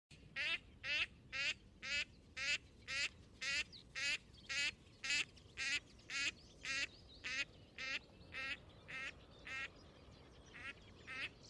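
A Gadwall gives a steady run of nasal, reedy quacks, about two per second, evenly spaced and tapering slightly toward the end, over faint background hiss.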